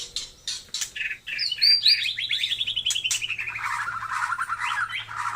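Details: Taiwan murai white-rumped shama singing a long, sweeping, descending warbled run of rapid notes after short clicks and a high whistle, with a faint low hum behind.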